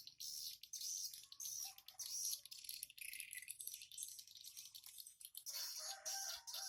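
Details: Swiftlets arriving at and leaving a simple nest hut on the morning of 14 August 2018 at 07:25; dense, overlapping high, dry rattling chirps and clicks from many birds, with brief lower twitters in between.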